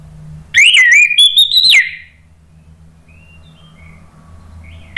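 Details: Orange-headed thrush song used to provoke replies from other birds: one long, loud warbled phrase of wavering and rising whistles lasting over a second, then near silence with faint distant notes.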